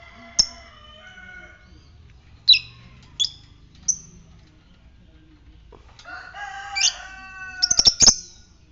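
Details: Ngetik-style fighter lovebird calling to prompt other lovebirds to trill; isolated piercing high chirps spaced about a second apart, then a dense rapid run of sharp notes at the end alongside sustained harmonic tones.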